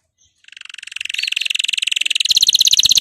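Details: Excited male canary singing, readied for breeding: a rapid pulsed trill starts softly and swells in loudness, holding a steady mid-high pitch, then breaks into a faster, sharper, higher-edged trill at the end.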